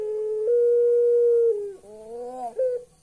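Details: Turtle dove of the puter pelung type laughing eerily, holding a long steady hoot for about a second, dipping lower, then a wavering upward-sliding phrase capped by a short sharp note.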